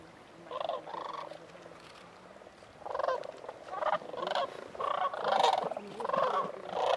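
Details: Cranes at Bosque del Apache giving rolling, rattling calls in overlapping bursts, several birds calling together with a steady background murmur of a distant flock.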